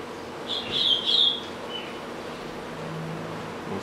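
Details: Double-collared seedeater kept as a home pet gives a brief, high buzzy twitter lasting under a second, followed by a soft short note and then quiet room noise.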